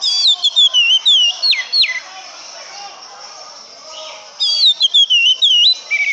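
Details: Sweet, fluid whistled phrases from an oriental magpie-robin, rising and falling notes strung quickly together, a quiet gap, then another rapid run of bright whistles.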